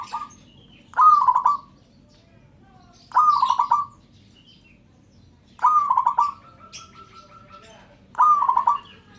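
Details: Local zebra dove calling to prompt other birds to join in: four rapid, trilled cooing phrases near one pitch, each a quick stuttering burst ending in a short roll, spaced about two to three seconds apart, with a faint background hum.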